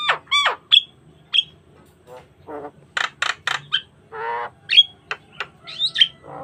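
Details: Asian pied starling in full varied song, used as a lure to train other starlings: a jumble of harsh squawks, nasal honks, sharp whistled notes and a drawn-out rattling buzz, delivered in quick uneven bursts.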